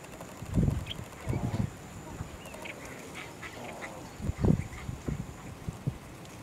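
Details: Black-faced spoonbill at Aogu, Chiayi, Taiwan, 7 December 2018 (winter), giving low, hoarse grunts in short bursts, several close together, then a pause and a second cluster; faint higher chirps in the background.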